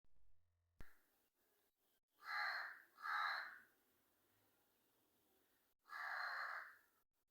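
A crow gives three harsh, drawn-out caws, two close together and a third after a pause, each about half a second long; otherwise quiet.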